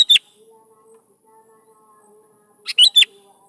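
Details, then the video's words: Lively sooty-headed bulbul singing to draw responses from young bulbuls; a phrase ends at the start, then after a long pause comes a three-part liquid whistled phrase, rising then dropping, over a faint hum. "PANCING SUARA BURUNG KUTILANG GACOR"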